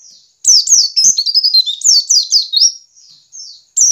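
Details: Caged white-eye giving ngiriwik calls, used to stimulate other white-eyes to sing and be active: a run of sharp, high, descending chirps in quick succession, with softer thin whistles between bursts.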